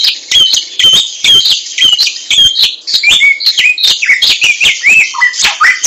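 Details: Samyong, a laughingthrush, singing in the wild: a rapid series of bright whistled notes, first high and level, then dropping into lower slurred whistles, over steady harsh chattering.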